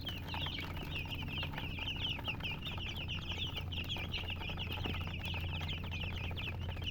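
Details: Numerous young chicks give rapid, high, slightly downslurred peeps in a dense unbroken stream, with a persistent low mechanical hum underneath.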